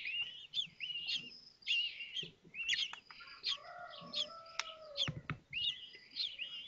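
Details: Common kestrel chicks at Théding, France, during a May 2024 feeding while one hatches; repeated shrill wavering calls nearly twice a second, plus a lower drawn-out whine and a few thumps.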